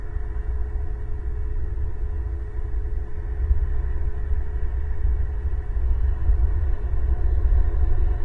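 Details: No animal sound; a steady low rumble like traffic or wind fills the recording, with a faint constant tone above it.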